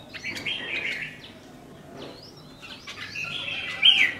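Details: Caged red-whiskered bulbul delivering warbled whistled phrases, a pause with a faint note, then a renewed phrase ending on a loud bright whistle.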